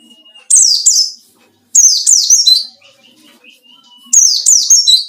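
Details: A white-eye sings ngalas style, searching for a rival, used as a lure; quick runs of two to three piercing downward-slurred whistles arrive in three bursts, with a soft steady tone between.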